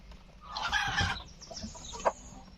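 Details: A rooster lets out a hoarse, wavering crow lasting about a second, followed by a few softer clucks and a sharp click.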